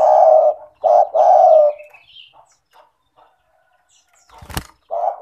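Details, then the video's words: Lure of a lively spotted dove to get lazy doves calling: soft, deep coos, a short note and a longer fading one, then a sharp clatter or knock before the cooing resumes. "Pancingan bunyi suara burung tekukur gacor cocok untuk terapi tekukur malas bunyi"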